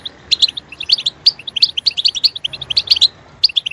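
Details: Goldfinch song prompted by playback, a fast run of clear high twittering notes and tinkling chirps, densely packed and lively throughout.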